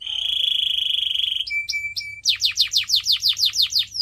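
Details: Canary singing for pet birds: a long steady whistled note, short tones, then a rapid run of loud descending sweeps repeated about three times per second.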